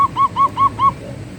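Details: Zebra dove (perkutut) manggung song: four separate soft, level coos, evenly spaced about a fifth of a second apart, with a quiet hum underneath.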